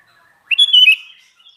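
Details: A vigorously singing sooty-headed bulbul delivers one ringing, bubbly phrase: a sharp upward note, then rolling whistled notes that slide lower, half a second in all. A faint high note follows.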